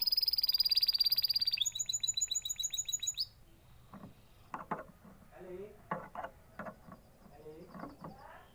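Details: Canary singing a fast, high, metallic trill of evenly repeated notes for about three seconds, with a second thinner trill above it. Lower knocking and murmuring sounds follow, like handling noise or faint speech.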